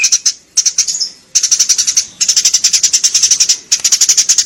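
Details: Eurasian tree sparrow on a pet-bird training recording: long, fast strings of high piercing chirps, nearly continuous, broken by a few short silent gaps.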